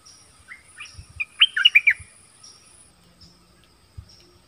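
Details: Nok dok taeng trading song with wild birds: one short, lively burst of bright chirped and slurred whistles, then faint thin notes and a few low knocks.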